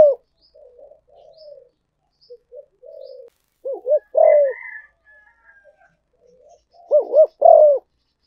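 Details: Spotted dove call used as a decoy for luring: soft low murmured coos build to loud arched hooting phrases, repeated twice, with a faint higher drawn tone between.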